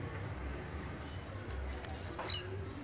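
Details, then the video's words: Blue-black grassquit song: one short, very high buzzy burst that sweeps sharply downward at its end, over a quiet background with low hum. "Canto de Chirrio (Volatinia jacarina)"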